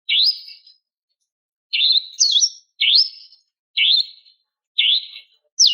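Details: A female greater green leafbird calls to a male with sharp rising notes, each swept upward and repeated about once a second, with silence between.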